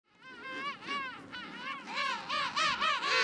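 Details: King penguins in a noisy colony; one bird gives a rich, wavering trumpeted call of repeated warbling undulations that swell in loudness, over a constant murmur of other colony voices.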